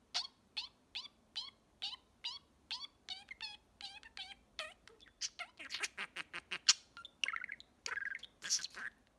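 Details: A male pet budgerigar chatters one evening, mimicking phrases: a run of evenly spaced, bright beeping syllables about twice a second, then a quicker tumble of buzzy, squeaky, speech-like notes.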